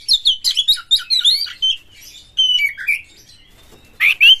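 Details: White-rumped shama, a caged lure singer, delivering a fast series of high whistled notes that descend in pitch, a thin sustained whistle, and a final loud burst.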